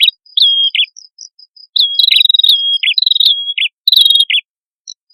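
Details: Male and female red-headed prinias (prenjak kepala merah) singing, played as a lure for birds: bright high chirps and short, flat, whistled notes, each stepping down in pitch, given in bursts with short pauses.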